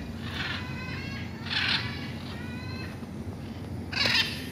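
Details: Macaws living wild on a hillside in Colinas del Bosque, Puerto Rico: three harsh, raspy squawks with layered overtones, spaced about a second apart, over a steady low rumble of background noise.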